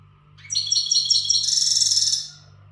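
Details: European goldfinch, a named untutored bird in breeding-readiness condition, singing with power: a dense, buzzy, high twittering burst of rapid tinkling notes lasting under two seconds over a steady low electrical hum.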